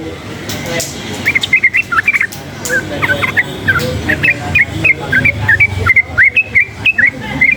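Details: Wild sooty-headed bulbul, excited by surrounding noise, repeating short, bubbly, upslurred whistles in a lively series of about two to three per second, with occasional harsh clicks and low background rumble.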